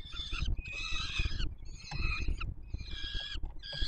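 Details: Begging young peregrine falcons being fed by their father at a Warsaw Palace of Culture and Science nest, Poland, 7 July 2022; three drawn-out, grating screams separated by short pauses, with low-pitched rumble beneath.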